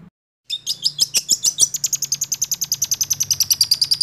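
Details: After a moment of silence, a six-month-old long-tailed shrike launches a roll speed trill, an even, rapid high rattle of over three notes per second that holds steady to the end.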